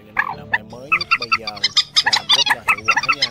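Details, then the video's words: Dense, rapid jumble of sharp, squeaky, high-pitched notes from several birds: Trích Ré (Red-wattled lapwing?) and Quốc Mốc/Quốc Biển calls used as August 2023 night-netting lure sounds for migratory birds. "Tiếng Trích Ré , Quốc Mốc , Quốc Biễn"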